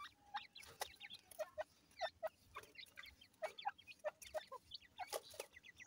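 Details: Grey francolin (dakhni teetar) chicks at Multan: short, high peeps repeated at an uneven pace, some rising and some falling, over a hiss. Sharp clicks and knocks are heard between the calls.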